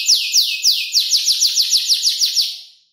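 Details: Young canary about five months old, learning its song by copying other birds: a fast series of bright downward-sweeping chirps, about four per second, fading out at the end.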